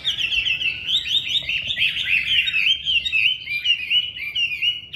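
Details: Chinese hwamei singing a loud, unbroken stream of rich warbled and whistled phrases that rise and fall quickly, with dense rapid notes throughout and no other sounds.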